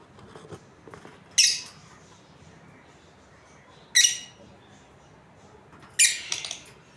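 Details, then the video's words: Lovebirds, a breeding pair, giving harsh, grating squawks in short bursts about every two to three seconds, with the last burst broken into a quick stutter, over faint background chatter. "Australian Lovebirds Chirping Sounds"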